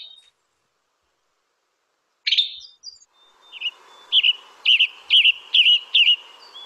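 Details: Western Tanager song: after a short opening burst, a run of short, burry, slurred phrases comes about twice a second, each a quick rising-falling warble, against a quiet background.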